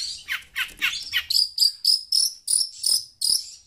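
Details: Shrike (pentet) calling loudly in response to sound from a phone; rough descending rasps at first, then sharp high buzzy notes with a whistled edge, repeated about four times per second.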